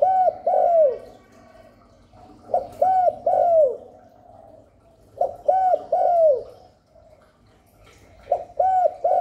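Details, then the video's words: Spotted dove cooing to lure wild doves and stimulate newly kept birds. Four repeated three-part phrases, roughly every two and a half seconds, each ending in a long descending coo, with a low hum between. "Chim cu đất, cu cườm gáy gù thúc kéo bổi về tàng, cu gáy kích bổi mới nuôi"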